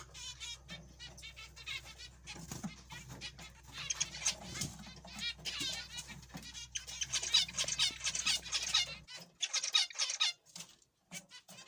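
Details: Zebra finches: rapid nasal beeping notes and chatter from several birds, loudest in the middle, the low hum dropping out near the end as the calling thins.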